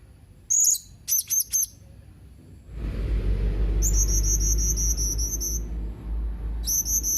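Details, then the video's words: Blue-crowned hanging parrot giving a few sharp high squeaks, then a long, rapid, even series of high notes heard over a loud low rumbling noise. "Burung Serindit anda gak akan diam mendengar Suara serindit ini"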